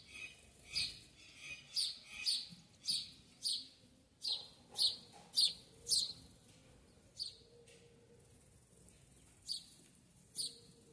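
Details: A sayaca tanager in a backyard gives thin, high, squeaky notes in quick bursts, about two every second for a while, then sparser, over a quiet background.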